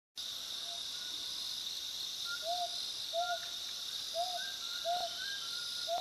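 Spotted scops owl giving short, clear whistled hoots, repeated roughly once a second, over a loud, steady high drone of insects.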